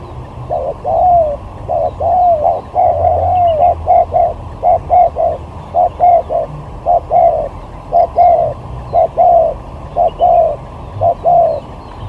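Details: Competition spotted dove used for luring, singing sigagap through jergot styles: twelve seconds of rapid hollow cooing, short staccato notes and longer slurred ones in clustered bursts of two to four.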